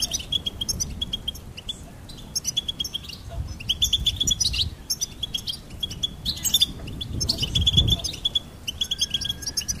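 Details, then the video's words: Goldfinch song in several twittering phrases of a few seconds each, with repeated clear notes and jingling trills separated by brief pauses; low rumbling background. "Goldfinch Singing and Song Compilation"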